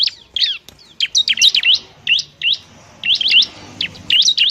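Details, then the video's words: Bar-winged prinia, a semi-tamed bird, singing busily; used to stimulate birds reluctant to sing. Sharp whistled up-and-down notes in short bursts with gaps between phrases. "CIBLEK RIBUT untuk terapi ciblek semi malas bunyi"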